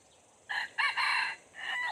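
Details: Red junglefowl crow used to lure wild junglefowl: a harsh multi-part crow with a short first note, a quick rising syllable, a long sustained harsh note and a fading final note over faint background hiss.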